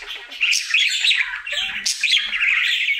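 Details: Pet budgerigar, a male, during his daily singing routine: continuous warbling chatter with scratchy, buzzy phrases, squeaks and sharp clicks, fluttering without pause in a quiet room.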